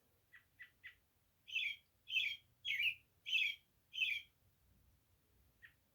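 American Robin: three quick thin chips, then five loud, rich caroling phrases about two-thirds of a second apart, closing with one more chip, in a quiet room.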